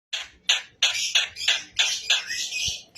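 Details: Newly caught wild Javan myna, known locally as jalak kebo, singing straight away after capture; harsh, buzzy chattering notes repeated about three times a second, growing into a continuous rasping run.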